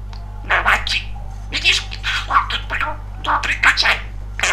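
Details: Male talking budgerigar kept as a pet, described as very chatty and funny. Fast, scratchy, babbling chatter in dense bursts of speech-like syllables, over a steady low electrical hum.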